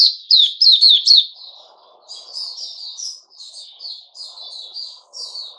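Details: Sooty-headed bulbul song recorded 10 July 2021. A loud run of four sharp chirps opens, then softer, warbling notes follow at a steady pace above a faint low rumble.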